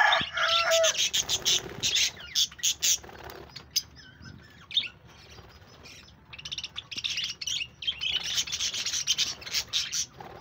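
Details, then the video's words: Pet budgerigars chirping on 1 June 2024, a dense run of sharp, scratchy chirps and buzzy warbles packed high in pitch, with a quieter stretch midway before the chattering builds again; several birds seem to overlap. "Lovely budgies sound and chirping"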